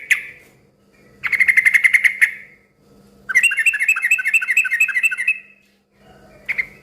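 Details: Noisy, energetic yellow-vented bulbul song used as a lure that makes other bulbuls answer: a rapid chattering burst, a pause, then a longer run of bubbly, tumbling notes, ending with a short chirp, over a low steady hum.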